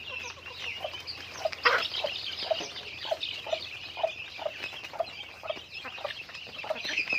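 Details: A flock of chickens during daily activity, with low clucks repeated about every half second under a dense layer of high peeping.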